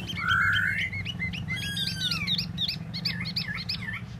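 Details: Tieu mi bird singing: a varied run of short chirps and upslurred notes around a long, smooth slurred whistle, with a steady low hum underneath.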